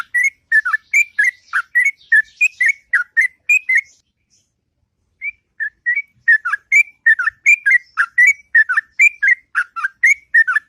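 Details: In the morning, a sooty-headed bulbul delivers a long, sweet ngropel song: rapid runs of bright warbled whistles for about four seconds, a short near-silent gap with a few isolated notes, then another extended run of similar chirping phrases.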